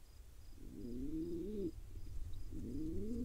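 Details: Wild pigeon chick in Israel, fed by its father, gives two rising, whining begging calls that swell and hold before breaking off, over a steady low rumble.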